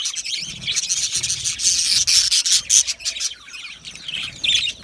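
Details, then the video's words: Aviary budgerigars chattering together, a dense stream of high scratchy chirps and quick warbled notes that swell in the middle, then ease off. "Australian Budgie parrot chirping sounds"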